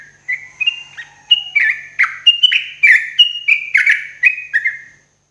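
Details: A yellow-vented bulbul in the morning gives a lively, bubbling song of about a dozen quick, chirpy phrases over five seconds, with little else heard.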